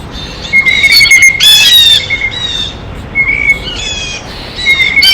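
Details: Blue jays eating at a feeder give loud, harsh, nasal squawks in quick irregular bursts, with a thin steady whistle-like tone running beneath much of the recording.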